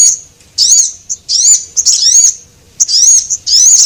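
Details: Javan munia calls used as a lure for small birds, male and female: long, shrill, quavering notes with a gentle rise and fall, about four in under four seconds, separated by short high ticks.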